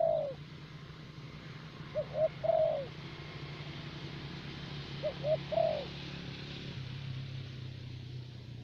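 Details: Soft, somewhat distant coos from a caged decoy spotted dove, 'thổ bầu' type, Vietnam: two short notes then a longer coo, repeated, over a steady low engine-like hum.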